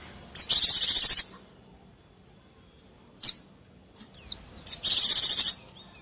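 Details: White-eye lure sound: two long buzzy pulsed trills almost a second each, separated by a lone sharp chip and a quick falling whistle, in otherwise quiet surroundings.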